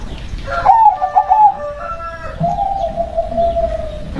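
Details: Perkutut (zebra dove), local and said to carry a spirit or berkodam, sings a quick rippling run of coos. A pause follows, then a long, even, slowly descending trilled note, with faint overlapping tones behind.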